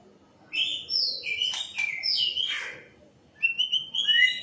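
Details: White-rumped shama song: bright, high whistled notes in short bursts with sweeping slurs, a pause, then a fresh phrase of rising whistles over faint background hiss.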